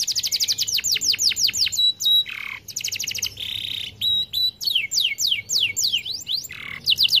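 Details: Singing canary, a long flowing song used to prompt silent birds: sweeping whistles, pure flat tones, buzzy rasps and quick trills follow one another, ending in V-shaped rising and falling notes.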